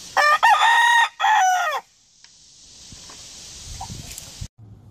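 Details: A rooster lets out a single crow broken into quick choppy opening syllables and a drawn-out tapering final note, followed by quiet hiss and faint rustling.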